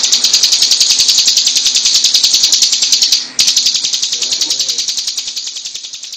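A Hill Prinia pours out a long, dense burst of high, rapid, rattling notes, with a brief break partway through before the fast chatter resumes.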